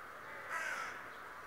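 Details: Single brief, grating call from a talking raven said to watch every day, set against a continuous background hum.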